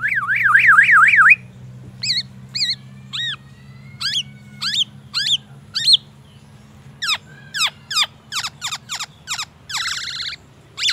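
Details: Black-naped oriole kept caged, singing learned white-rumped shama phrases: a loud wavy warbling trill, then spaced hooked whistles, speeding into a rapid series of sharp downslurred notes and a buzzy burst, low hum throughout.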